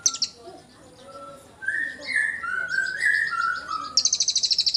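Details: A cililin used to coax magpie robins into singing gives a varied phrase: clear, sliding mid-pitched whistles, then a run of sharp, rapidly repeated high trill notes at the end.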